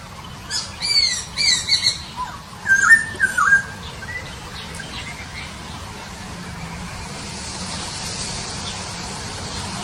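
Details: Papuan poksay recorded in Nabire, Papua, on 26 December 2021: a few high, thin whistled notes in the first two seconds, then a short run of lower, slurred warbling phrases, followed by steady background hiss.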